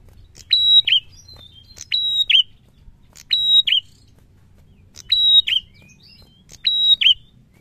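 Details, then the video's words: Lively prinia song, called prenjak and delivered in the ngalun narung style: repeated pairs of piercing level whistles closing with an abrupt falling note, five phrases at uneven gaps, faint soft chirps between and a low background murmur. "SUARA PRENJAK GACOR NGALUN NARUNG"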